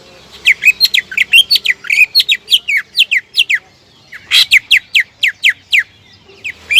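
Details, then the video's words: Greater green leafbird, a vigorous singer used to provoke rival birds into singing, pours out rapid repeated down-slurred whistled notes, mostly high and sharp, in quick runs with a brief pause before a loud burst resumes the series. "PANCINGAN CUCAK IJO GACOR AMPUH MEMANCING LAWAN AGAR BONGKAR MATERI"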